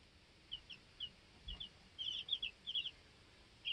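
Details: Two-week-old baby chickens in a coop; sparse high peeps at first, then a quick cluster of cheeping from a few chicks, over a quiet background.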